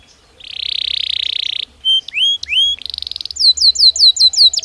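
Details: Belgian canary singing naturally: a long, steady, buzzy high trill, then separate whistled notes and short upward slides, ending in a quick series of falling, looping whistles repeated several times a second.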